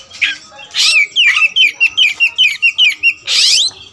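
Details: Black Oriental magpie-robin (kacer wulung raja) giving a rapid series of about ten crisp whistled notes, evenly spaced, framed by loud harsh rasping bursts at either end.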